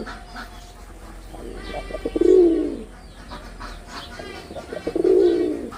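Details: Red-bordered wild pigeon, a male in performance, utters two loud, smooth, swelling coos about three seconds apart; a faint harmonic hum and soft chirps sit behind.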